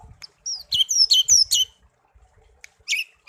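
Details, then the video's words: Pet songbird kept since it was young, found in a garden and raised for one year until it sang, now tame; sharp high whistled notes and short chirps in a quick burst, then brief pauses and a few more chirps. "burung kicau peliharaan"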